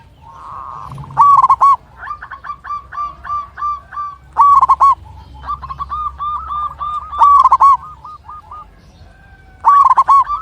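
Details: Local zebra dove, kept as a singing bird, with a big, long-breathed voice, calling a rival and used to draw quiet birds into singing. Loud bursts of rolling, trilled coos recur every few seconds over lower repeated notes and steady low background noise.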